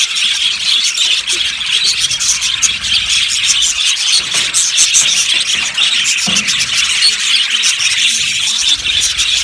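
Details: Loud, unbroken chatter of a yellow budgerigar flock in an aviary, countless overlapping high chirps and squeaky warbles forming a steady hiss-like din.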